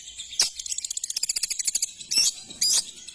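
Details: ['Long-tailed shrike singing: one rasping burst, then a fast even rattle of about twenty ticking notes, followed by two loud harsh buzzy notes.']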